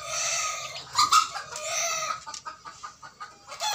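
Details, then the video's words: Young 60-day-old cockerel on a small backyard native-chicken farm attempting an early crow: a rough, drawn-out note breaking into several short cracked syllables, with clucking close by. "Kokok Perdana 3 Jantan Muda Usia 60 Hari"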